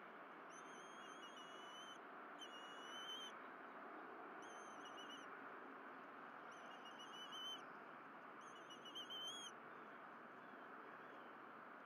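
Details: Bald eagles at the Berry College nest, 12 April 2023, during fish deliveries and feeding: five spaced bursts of high whistled piping, each about a second long, with steady hissing noise beneath.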